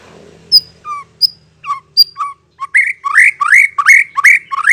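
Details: White-rumped shama lure to make birds respond: clear high whistled notes dropping in pitch, separated by pauses, then a quick steady string of rasping upward-swept notes over a faint hum.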